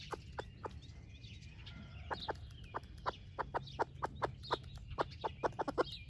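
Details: Splash laced red Wyandotte hen, broody, sharing breakfast with her baby chicks: a steady run of brief, evenly spaced clucks roughly every quarter second, with faint high chick peeps and low background hum.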